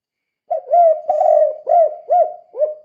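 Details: Spotted dove in lively 'kuk 2' style, used to stir other doves into calling; one continuous phrase of six mellow coos, the second drawn out and wavering, the rest short and rounded.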